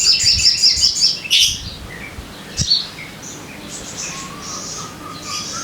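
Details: Lure recording of sogon song for caged birds: a quick burst of rapid, high twittering notes that fades, leaving faint distant whistles from other birds.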